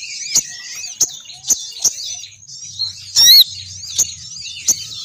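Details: Female crimson sunbird lure call, used to draw males down: a string of sharp, very high ticks at uneven intervals, broken by one loud, brief squeaky burst.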